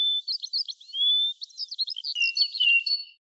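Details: Red-whiskered bulbul song: a continuous run of quick, varied whistled notes with a longer sustained whistle near the start, ending in a few clear sliding tones. The background is silent.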